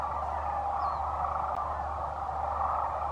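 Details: Thousands of wintering sandhill cranes (10,000 or more) at Whitewater Draw Wildlife Area, Arizona, just before dawn on a cold morning, calling at once, rolling trumpeting calls blending into a steady roar over a low hum.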